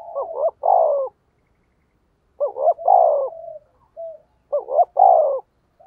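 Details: Decoy spotted dove cooing to attract wild doves. It gives three repeated phrases, each a short stuttered double note running into a drawn-out, descending coo, at intervals of about two seconds, with a brief soft note between. No other sounds.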